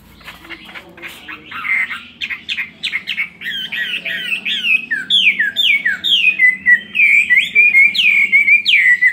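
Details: Chinese hwamei, caged for two years, singing its fighting song: a rapid run of harsh and whistled notes that grows louder, ending in repeated downward-swooping whistles, several per second.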